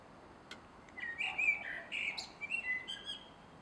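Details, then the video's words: A male Common blackbird sings at dusk in a garden on 3 July 2016: one mellow, fluting warble of about two seconds ending in thin, high twittering notes, after a single soft click. "Male Blackbird Singing at Dusk"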